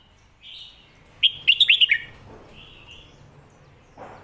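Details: Phat kuay tiao or mae bot song style from a red-whiskered bulbul. A soft whistle leads into a fast phrase of five bright, rolling whistled notes, with quieter whistles trailing after.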